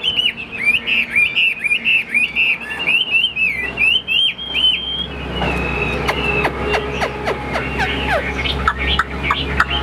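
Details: Chinese hwamei in a cage, a fighting bird, gives rapid looping whistled notes for about five seconds, then the song turns broken and mixed with loud clattering clicks and a low rumbling background.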